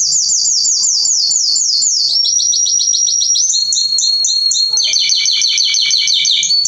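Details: Belgian canary singing a varied sequence of rapid trills, each tour of repeated notes changing pitch and tone, moving from high sweeping notes to lower, fuller rolling phrases; faint low hum behind.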